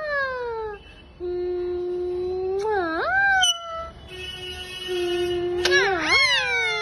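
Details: A green Indian ringneck (rose-ringed parakeet) makes drawn-out, nasal, voice-like tones, each ending in a sudden rising and falling swoop, in two phrases of mimicked talk in a quiet room.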